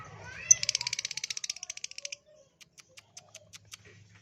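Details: ['Lovebird recording used as a lure to make lovebirds sing: a fast, even trill of high chirps for about a second and a half, slowing into sparse single ticks, faint low hum underneath.']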